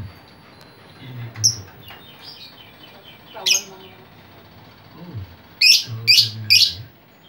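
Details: Chattering lovebird meant to lure others: soft chirps, then a loud shriek, ending with three rapid, harsh, high screeches in quick succession, with low thumps beneath.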